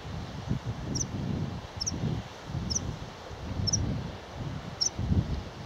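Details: Meadow pipit at Musselburgh, 26 May 2012: five thin, high 'tsip' notes about once a second, over steady low wind rumble and rustling.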